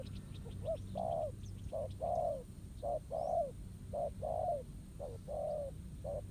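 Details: Trapping scene with a wild spotted dove cooing back at a decoy on the ground; rhythmic couplets of short and long coos roughly once a second, faint high bird chirps early on, low rumble throughout.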